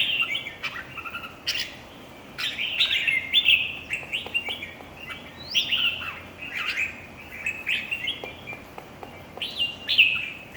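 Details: Red-whiskered bulbuls at a singing competition giving lively, overlapping whistled phrases with quick upward and downward slurs, near-continuous chattering song broken by brief gaps, plus faint clicks in the background.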